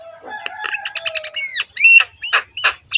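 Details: Javan myna singing a harsh, rough song with head-bobbing: a low drawn-out whistle under a quick run of clipped notes, then arched whistled slurs and loud rasping squawks.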